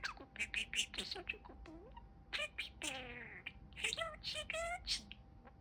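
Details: A pet male budgerigar talks in quick, scratchy, speech-like phrases, mixed with high chirps and warbling twitters, rising and falling in pitch with no pause.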